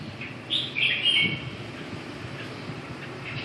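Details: Red-whiskered bulbul giving a brief, clear warbling phrase of quick rising and falling whistled notes over a constant low rumble.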